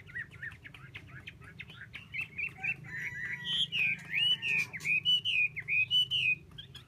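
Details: Chinese hwamei delivering a rich, rolling song: short chips at first, then a loud series of wavering whistled notes that swoop up and down, each about half a second apart, over a low hum.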